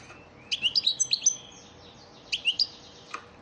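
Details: Training song (ders) of a European goldfinch used for teaching caged birds: short bursts of high, liquid chirps and quick rising twitters, two phrases about two seconds apart, followed by one faint note.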